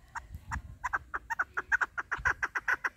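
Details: Calls of a female hunting chukar partridge: a rapid series of clipped, clucking chuck notes, irregular at first, then tightening and growing louder toward the end.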